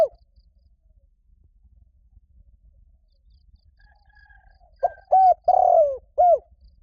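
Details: Calling spotted dove used to lure wild doves, calling its mate: a faint coo, a long pause with a soft background whistle, then a full phrase of short coos, one long throaty coo and a falling end note.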